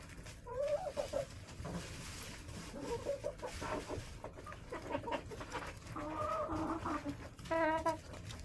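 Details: Hens in a backyard coop in January, during a spell of snow and below-freezing weather: scattered low clucks among rustling, then a longer drawn-out cackle and a sharp harmonic squawk near the end.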